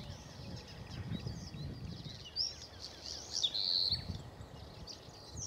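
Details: Bluethroat, recorded 7 May, giving quick, varied high chirps and short twittering notes, with a clearer whistled note near the end, over a steady low rumble of background noise.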